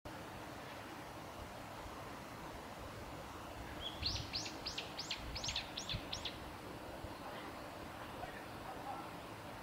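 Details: Japanese waxwing recorded on 13 February 2021 in Hadano, Kanagawa, Japan: a short run of six or seven high, thin, evenly spaced trilled notes lasting about two seconds over steady low background rumble.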